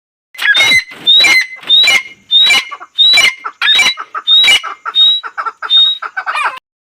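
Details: Female painted francolin: around ten evenly spaced harsh, rasping notes, each topped by a thin rising whistle. They repeat roughly every two-thirds of a second and grow slightly softer toward the end.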